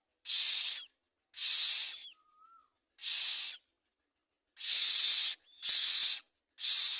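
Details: Common mynas bringing food to their young: six loud, hissing rasps, each about half a second long, about once a second, with a faint thin whistle between the second and third.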